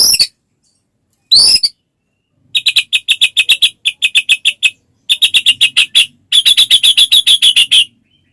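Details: Singing white-rumped shama, played to get other shamas singing: a few sharp high notes, then fast runs of bright repeated chips, each run a second or so, delivered in four bursts.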